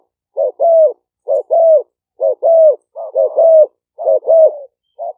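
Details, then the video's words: Spotted dove decoy singing, recorded live at a dove camp in Roi Et, Thailand, with a smartphone; clipped note followed by a longer coo, repeated about once a second in a regular run, no other sounds. "เสียงนกเขาใหญ่ คารม ปะทะ คารม"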